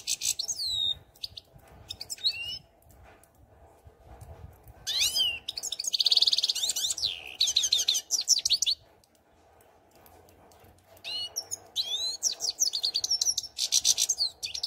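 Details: Song of a European goldfinch, long tinkling twittered phrases high in pitch, mixing quick sweeping notes with dense buzzy chatter, broken by short quiet gaps over a faint low background hum.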